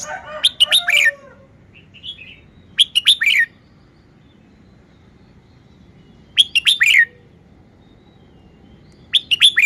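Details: Caged red-whiskered bulbul delivering its song style in repeated lively phrases of three to five whistled, warbling notes, about every three seconds, with a soft low hum behind.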